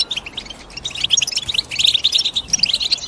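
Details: European goldfinch twittering: a quick series of clear, bell-like high chips and short rising notes, closely spaced and lively, with softer chatter behind.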